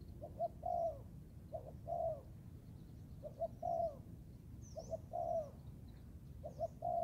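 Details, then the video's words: Young Thai spotted dove training in the forest: repeated cooing phrases, each a short note or two then a longer throaty coo, roughly every one and a half seconds, with faint high chirps of other birds and low rumble. "cu gáy 78 ( clip 52 ) thái tơ đag tập rừng"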